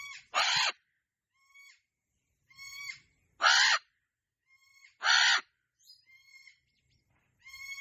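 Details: A pet cockatoo gives three loud, harsh, rasping screeches a few seconds apart, with softer nasal squawks and short whistled notes between them.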